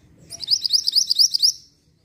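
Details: Mantenan lure song meant to draw an answering bird: one quick run of about nine bright, high, upward-sweeping chirps lasting just over a second, with faint low background hum.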